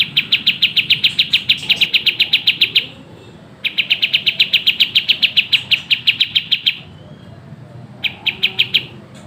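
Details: Pied triller in a masteran tutor recording of the fast, tightly packed 'tembak gacor speed rapat' song style: rapid series of sharp, evenly pulsed high notes in bursts of about three seconds, separated by short pauses.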